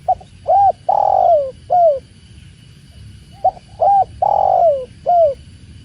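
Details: Spotted dove (tekukur) repeating its cooing phrase twice, each a quick introductory note, a short coo, a long downward-sliding coo and a closing short coo, separated by a pause of about two seconds.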